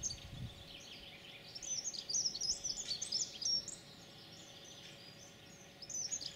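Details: European pied flycatcher song on 9 June 2019: a bright high phrase of rapid chirping notes in the middle, then a short fresh phrase starting near the end, over faint constant hum.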